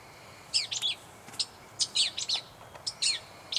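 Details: Gray catbird near North Tetagouche, New Brunswick, giving quick bursts of high, squeaky, jumbled notes in tight clusters with short pauses between them.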